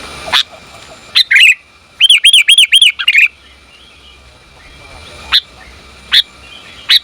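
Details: Sooty-headed bulbul female calling to the male, a lure recording; a quick run of five arched, ringing notes in the middle, framed by scattered sharp single chirps and a brief slurred phrase.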